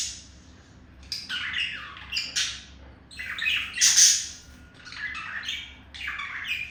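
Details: Indoor pet male budgerigar courting a female; broken sequence of buzzy squawks and chirps, louder in the middle, separated by brief quiet gaps.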